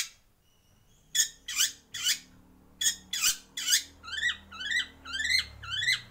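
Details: White-rumped shama in a breeding aviary: several harsh broadband rasping notes, then a series of repeated upslurred chirps about twice a second, with faint low hum behind.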